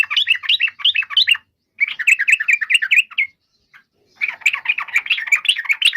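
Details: Yellow-vented bulbul singing three bursts of quick, bubbly rising-and-falling notes with brief pauses between them, in a clean, quiet setting.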